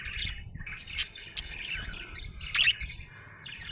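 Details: Happy budgie chatter: short bursts of squeaky warbling broken by brief gaps, with a couple of sharp louder squeaks, over low background noise.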